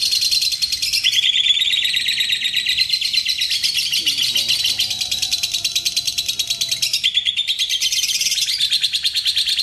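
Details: A lovebird, recorded as a lure call, gives a long, unbroken, high-pitched chattering trill of rapid ticking notes with brief shifts in pitch; a faint low voice can be heard midway.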